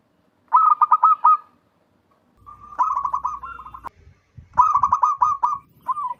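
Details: Wild local zebra dove calling loudly, used as a trapping lure: bursts of rapid, staccato, rolling coos, three phrases separated by short pauses, with faint low background noise.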